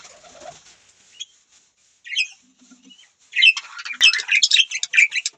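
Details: Budgie chirping: faint, sparse chirps and short squeaks at first, then from about the third second a loud, busy burst of rapid, twittering warble that continues to the end.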